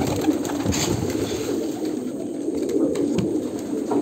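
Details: A low coo chorus from Kolkata pigeons continues throughout, with a faint higher chirp and some thumps and rustling.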